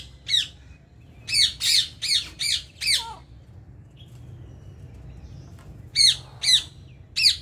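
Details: Ring-necked parakeets in India giving loud harsh screeches in a quick run of five, then a quiet gap and three more, over a low steady hum.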